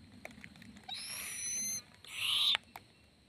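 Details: Baby owl, swaying, uttering two back-to-back noisy hissing screeches, the second louder and harsher, over a soft background hum.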